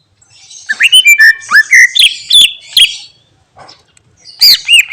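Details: Greater green leafbird pouring out mimicked phrases: a fast run of clear, ringing whistles sliding up and down, each note short and punchy, a brief pause, then two more bright looping whistles.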